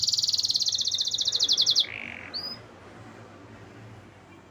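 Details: Canary song: a fast, loud trill of rapidly repeated high notes for nearly two seconds, then a brief lower buzzy phrase and a soft rising whistle, fading into quiet background.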